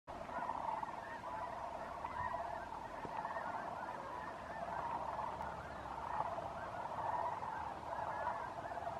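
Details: A large flock of sandhill cranes near sundown on December 8, 2015, at Bosque del Apache NWR, New Mexico, with snow geese and mallards present, keeps up a dense chorus of rolling, trumpeting calls overlapping into a steady clamor.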